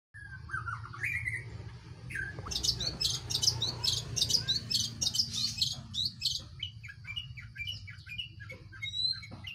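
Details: Long-tailed shrike singing a varied jumble of short chirps and sharp notes, with dense bursts of high scratchy elements in the middle and scattered whistled slurs, over a steady low hum.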